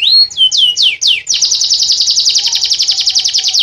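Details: Canary in nunduk style: a few loud downward-slurred whistles, then a long fast rolling trill of rapidly repeated notes; faint steady tone in the background.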